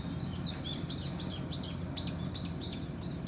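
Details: Dawn birdsong made of bright, curved chirping notes repeated about every third of a second, set against a constant deep background drone.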